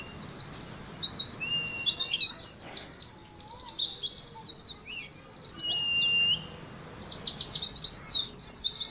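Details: Oriental white-eyes singing the 'ngalas' battle style: high, scratchy, rapid trills of slurred chirps running almost without break, with a few faint lower whistles underneath.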